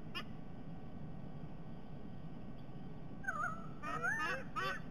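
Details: White-bellied sea eagles sharing their last breakfast together at a Sydney Olympic Park nest camera, Australia, 22 October 2021. After three quiet seconds of low hum, a run of loud, warbling whistled yelps begins and repeats rapidly to the end.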